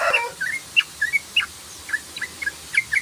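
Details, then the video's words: Sooty-headed bulbul (trucukan) in 'ropel' style, used as a lure call: short, sharp chirps, each bending up or down, spaced irregularly several times a second. A brief rustle opens the recording. "CRUKCRUKCRUKCRUK BURUNG TEUCUKAN ROPEL❗❗❗❗SUARA TRUCUK ROPEL❗❗❗❗"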